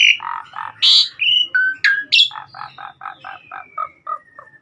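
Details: Lively 'gacor' Asian pied starling from a master recording: harsh and whistled notes, then a fast descending run of about a dozen short husky chips under a thin falling whistle.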